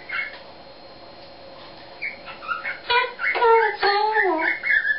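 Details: Eclectus parrot kept as a pet, improvising its own made-up song: after soft scattered notes, a busy run of mixed whistles, sliding tones and raspy squawks builds in loudness, with some speech-like chatter woven in.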